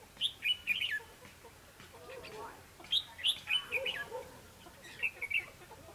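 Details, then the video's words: Wild red-whiskered bulbul during a trapping and song-contest session on December 21, 2015, giving bright, bubbly whistled phrases in three quick bursts, each a run of rich chirping notes, with soft lower sounds between. "Bẫy đấu chim chào mào"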